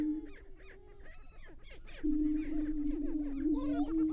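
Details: Greater prairie-chickens on a lek at Tympanuchus WMA, northwest Minnesota, on a 29-degree April 2019 morning, males displaying and fighting: a low hollow moaning hum beneath a busy chorus of sharp cackles and whoops from several birds.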